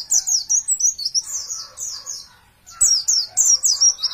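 Oriental white-eye singing a rapid, very high, thin twitter of sweeping notes, about three per second, with a brief pause midway.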